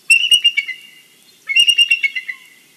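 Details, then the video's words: Bald eagle calling in the morning at its nest in Big Bear, picked up by a live nest camera: two quick series of high, thin, piping chitters, each about a second long, with a short silent gap between. "Jackie's morning song for the valley"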